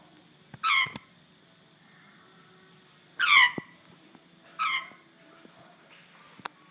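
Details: Pet African grey parrot making an odd sound indoors; three short, buzzy, chattering bursts about every two seconds, separated by quiet pauses, with faint clicks.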